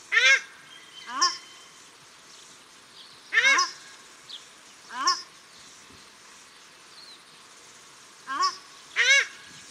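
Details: Male and female paradise shelducks call at Cornwall Park, Auckland, New Zealand, with loud, harsh, rising honks in pairs and singles scattered over ten seconds.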